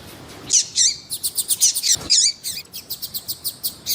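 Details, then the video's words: Double-collared seedeater with a female calling to stimulate males: a steady fast run of high sharp ticks and chips, roughly four per second, with a brief low thump partway through. "ESQUENTAR COLEIRO TUÍ TUÍ COM COLEIRO TUÍ-TUÍ E FÊMEA CHAMANDO PARA ESQUENTAR COLEIRO TUÍ-TUÍ"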